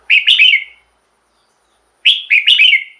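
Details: Red-whiskered bulbul, song used to excite caged birds: two loud, bright bubbling three-note phrases, about two seconds apart, each slurring downward.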